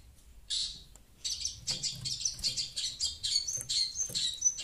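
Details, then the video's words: Shrike (pentet), a noisy bird reacting to sound played from a phone; after a brief harsh burst, a run of rapid, high, scratchy chirps and chatter follows, repeated about twice a second with uneven rhythm. "Burung pentet cerewet dengar suara hp"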